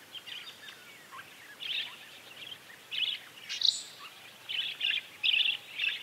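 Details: Common linnet in its natural surroundings singing a run of short, scratchy twittering bursts, about eight quick phrases in six seconds, some buzzy and some with brighter chirped notes, over a faint steady background hiss.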